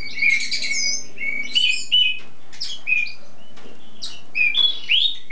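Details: Spring bird in its song-showing stage, a tutor bird that sings for hours without stopping: varied, high whistled phrases, clear notes and quick downslurred sweeps, with brief buzzy bursts between short pauses.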